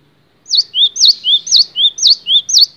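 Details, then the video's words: Gelatik batu, or cinereous tit, in a long training recording for songbirds, sings a steady series of five loud two-note phrases, a high dipping whistle and a lower rising slur, over a faint low background hum. "MASTERAN GELATIK BATU DURASI PANJANG"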